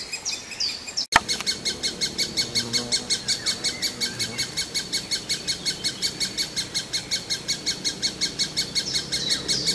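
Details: A great spotted woodpecker chick, always hungry, begs with a steady stream of high, harsh chattering notes, nearly three per second, after a brief click near the start.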